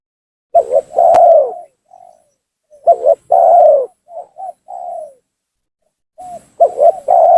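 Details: Cooing from a spotted dove, played as a lure to provoke rival doves: stuttered double notes and long falling coos, followed by several soft separate hooting notes, then the next phrase beginning.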